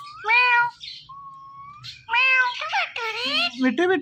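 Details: Talking ringneck parrot kept as a pet, voicing drawn-out meow imitations with a thin rising whistle between them, ending in a burst of harsher chatter over quiet background music.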